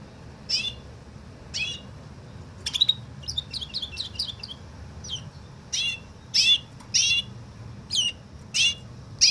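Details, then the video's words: Canary singing a woodlark imitation: separate high sweeping notes spaced about a second apart, with a short burst of rapid twittering near the third second, over a low background hum. "Καναρίνι λέει Τουρλί - Canary sings Woodlark"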